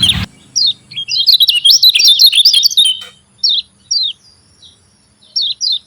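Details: Lemon-bellied white-eye lure to stir reluctant white-eyes: a short burst of rapid high twittering chirps lasting about two seconds, followed by spaced pairs of sharp falling 'ciak' notes.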